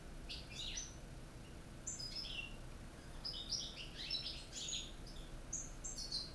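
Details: Caged European goldfinches, one from Corsica, one from North Africa and a young one from Spain, giving the true Corsican song: quick high twittering bursts of chirps and trills in short phrases, with a steady low background hum.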